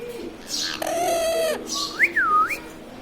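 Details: Pet talking ring-necked parrot indoors giving a harsh buzzy note, a long flat nasal tone, then a clear whistle that rises, falls and rises again in a wavy curve.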